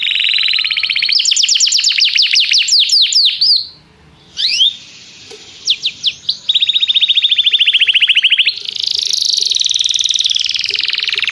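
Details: Canary singing to call a companion, part of song training: long loud rapid trills, a brief silence with a few sharp notes, then a steady fast rolling trill and a buzzy closing phrase.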